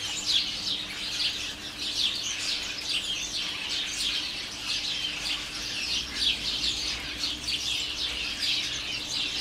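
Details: Dense chorus of a garden house sparrow colony, about 30 in a flowering currant and more in a holly tree: unbroken overlapping high chirps and chatter, nearly even loudness across the recording, faint low hum.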